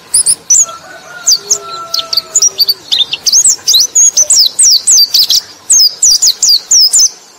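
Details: A white-eye sings to draw in other white-eyes, giving a fast string of high descending whistled slurs and short chirps almost without pause. Faint lower steady tones sound in the background early on.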